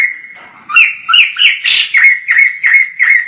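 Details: Distant white-crested laughingthrush in lively song: a held whistled note gives way to a quick string of harsh, chuckling notes repeated roughly three times a second.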